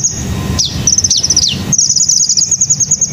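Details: Wild hummingbird singing: very high, thin notes in rapid, even strings, broken by sharp downward slurs, then one long fast chattering trill; low background rumble beneath.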